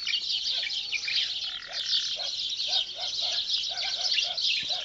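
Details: Birds in early morning in the countryside of Benslimane province, Morocco: a dense high chorus of chirping and twittering, with a lower repeated cooing note and a soft steady tone underneath.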